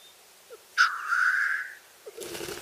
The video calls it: Black Grouse Sound